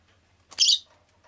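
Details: Rosy-faced lovebird kept as a pet making a single short, shrill, high-pitched chirp against a quiet background with a low steady hum.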